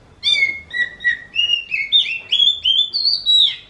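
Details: Oriental magpie-robin, its song compared to a kitten meowing: a steady series of about ten clear, slurred whistles, each note bending down or up, climbing higher toward the end.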